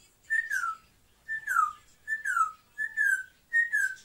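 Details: Pet African grey parrot, one of two kept indoors, gives a clear whistle that dips downward at the end, repeated five times about every 0.8 seconds.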